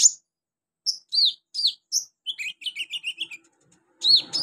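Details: Olive-backed sunbird on a training recording for young birds: clear slurred whistles, then a quick series of descending, even chirps and a final loud swooping note.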